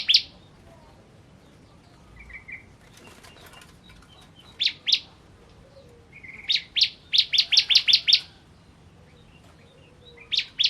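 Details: Bar-winged prinia (ciblek) of the 'kristal' type, singing vigorously, offered as a training recording for songbirds: scattered high chipping notes, then a fast burst of about eight sharp, evenly spaced chips, with a short buzzy note before it.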